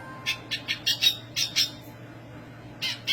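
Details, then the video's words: Black siskin singing, described as high-pitched and in full voice: short bursts of buzzy, scratchy high notes in a loose series for about a second and a half, then a pause and another phrase near the end. "black siskin gacor suara tinggi!"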